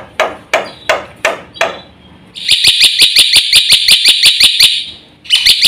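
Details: Black-winged myna opening with several harsh, scratchy spaced notes, then launching into a loud, rapid rattle of repeated shrill high notes.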